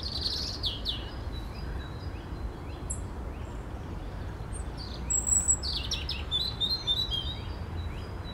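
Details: European robin singing on 10 April 2021: high, thin, varied phrases of wavering whistles and quick trills, brighter toward the end, over a steady low rumble of background noise.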